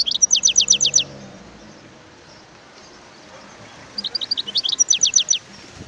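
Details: A wild European goldfinch gives two bright, high-pitched phrases of rapid, falling notes, each a tight row of about seven strokes, separated by a few seconds of faint background hiss.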